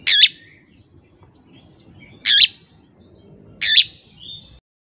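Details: Kept Oriental magpie-robin singing with no master recordings or rival present: three harsh, loud, rasping bursts at irregular intervals of over a second, with faint whistled notes between them.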